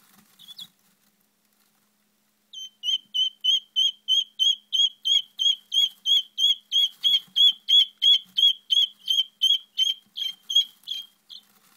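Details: Guinea fowl keets one or two days old give a steady run of high, thin peeps, about three each second.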